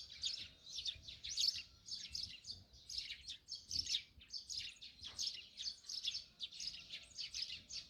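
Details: Eurasian tree sparrows chatter around a countryside house in the morning, where wild garlic grows: a continuous, busy stream of high, overlapping chirps and twitters from several birds, without pause.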